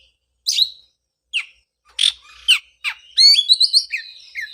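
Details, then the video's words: Scattered harsh chips from an Oriental magpie-robin open, then a fast rippling whistled phrase, used to encourage a bird that stopped singing after moulting. "pancingan suara untuk terapi burung kacer"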